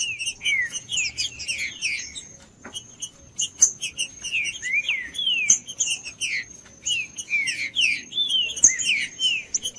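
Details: Pale-breasted thrush singing, a bird kept by breeders for song tournaments; rapid phrases of rich whistled, slurred notes rising and falling, delivered in quick bursts with brief pauses, with a thin steady high tone running underneath.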